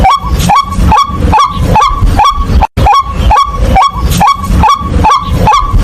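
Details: White-breasted waterhen calling: loud nasal honking notes repeated steadily about twice a second in a long unbroken series, each note with a short upward inflection.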